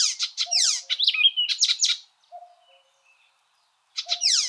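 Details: Icterine Warbler singing bursts of rapid, harsh, buzzy high notes mixed with a short whistle, broken by a two-second pause with faint low tones before another harsh burst.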